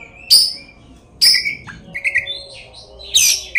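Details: Oriental magpie-robin in full song, used as a lure to provoke other magpie-robins into singing and fighting: loud separate bursts of sharp high notes and shorter whistles at irregular intervals, over a low background hum.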